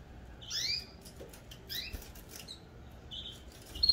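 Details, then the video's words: Domestic canaries in cages, with breeding pairs due to be split up, give quick high whistles that swoop downward, then a short steady tone, amid light clicks and wing rustling. "Meus canários cantando a todo vapor"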